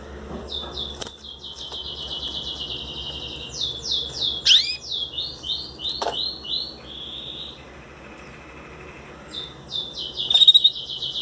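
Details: Eighteen-day-old Belgian canary chicks begging while hand-fed soft food into their beaks; rapid high buzzy, pulsed trills in bursts, sharp clicks from feeding, and a later brief raspy chirp.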